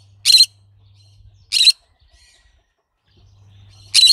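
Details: Harsh, rasping calls from a green-cheeked conure: three short loud screeches about 1.2 seconds apart, with a steady low hum between them.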